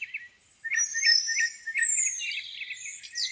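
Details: Birds at a lake on a spring morning; short chirps repeat about every quarter second beneath long, thin descending whistles.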